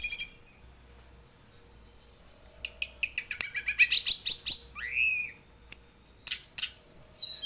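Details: Young speckled tledekan gunung learning to roll its song: after quiet, a stuttering series of thin high notes and short clicks, then a loud looping upswept whistle and scattered sharp chips.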